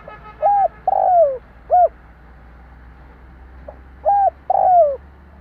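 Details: Vietnamese lure spotted dove calling to attract wild birds: two full phrases of mellow coos, each a brief note, a long downward-sliding coo and a clipped final note, separated by a quiet pause.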